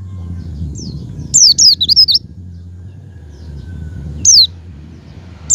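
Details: Javan white-eye calls used as a lure to prompt a kept white-eye to open its beak and sing: a thin high note, then a rapid run of sharp, loud, down-slurred zigzag whistles, and a final lone descending note, over low background rumble.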